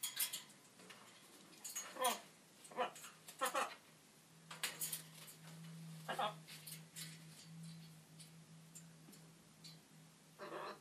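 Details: Macaw gives short, harsh, speech-like bursts, some squawky and some word-like, said to be unpleasant words, in an irregular run; low hum and faint clinks of dishes behind.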